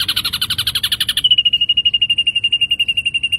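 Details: Ashy drongo in lively gacor song: a dense buzzy chatter with harmonics gives way to a long, steady series of clear piping notes, about four per second, with a faint low hum underneath.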